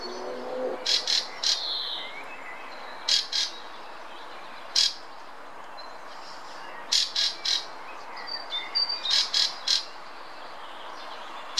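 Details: A Fieldfare sings in the Munich Botanical Garden: a rambling song of harsh, chattering chack bursts mixed with squeaky, thin whistles, in short clusters every second or two.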